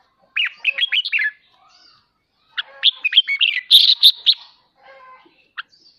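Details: Red-whiskered bulbul giving ché song meant to train home birds to sing: two lively phrases of quick slurred whistles, the second ending in louder ringing notes, with a soft fainter trill after.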